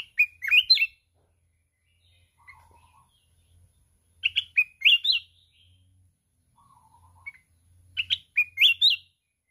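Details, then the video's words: Mountain red-whiskered bulbul singing fiercely in contest with continuous wing-flapping, a wild-voiced 'kít bổi' style song: bright whistled phrases of quick rising and falling notes, repeated about every four seconds, with soft low chattering between. "Chào mào núi hót cực xung, đập cánh liên tục"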